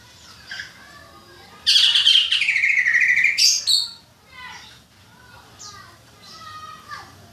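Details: Caged songbirds being trained for bird contests by singing against one another: a loud, buzzy, high trill lasting about two seconds, followed by softer chirps and whistled notes from other birds.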